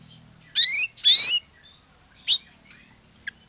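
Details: Oriental magpie-robin used as a singing lure for other magpie-robins, giving two loud harsh buzzy phrases, then a sharp high note and a soft thin whistle after a quiet pause.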